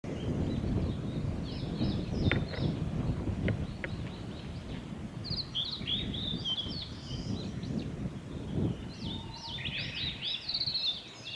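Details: Male Blue-and-white Flycatcher singing along a forest road by Lake Miyagase, Japan, on 25 April 2016; high warbled and whistled phrases ring out over strong low rumbling background noise, with short sharp notes in between.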